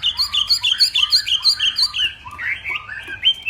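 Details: Hwamei from Northwest Vietnam at a morning singing contest, repeating one bright two-part whistled phrase about three times a second, then shifting to lower, rolling whistled notes.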